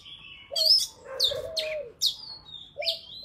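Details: Wild-style Oriental magpie-robin song for tutoring young birds and trapping. Short bursts of high sweeping whistles alternate with a lower, drawn-out falling whistle across a few seconds.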